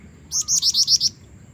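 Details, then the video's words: A female Black-winged Flycatcher-shrike calling to attract a male produces a tight string of six shrill, high notes in under one second, evenly spaced and slightly upslurred, loud and clear against a quiet background. "jingjing batu betina gacor pancingan jantan"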